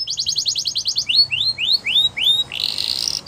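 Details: Canary song for stimulating other canaries: a fast trill of short repeated notes, then five slower rising curved whistles, ending in a buzzy high rattle.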